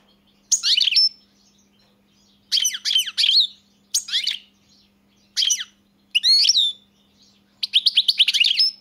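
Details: European goldfinch song: a string of short bursts of bright, scratchy twitters and sliding notes, some buzzy, separated by pauses of about half a second to a second, ending in a rapid trill.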